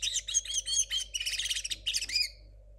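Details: Short burst from a young 2022 linnet hybrid with a still-muddled song: quick chattering notes and a buzzy trill ending in a slurred downward note, with steady hum beneath.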